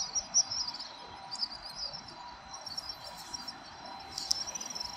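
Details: Evening flock of house swifts wheeling over central Tokyo's Surugadai district in December 2023 before roosting. Thin, high trilled twitters rise and fall in scattered bursts, with a sharper burst near the end, over constant low urban hum.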